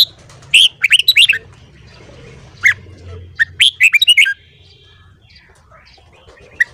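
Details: Red-whiskered bulbul morning song for voice training: a busy warbled phrase, a lone chirp, then a second run of quick ringing notes, followed by near quiet with a faint whistle and one last chirp.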